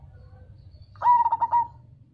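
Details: Deep-voiced Cemani zebra dove, sung so local and crossbred doves reply: one short cooing phrase of five quick pulses running into a longer held note, after a faint low rumble.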